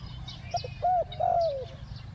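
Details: Spotted dove cooing to lure wild doves in the 'ku-ang' two-note style: a quick soft double note, then a flat hooting coo and a longer coo drifting downward, over low background hum.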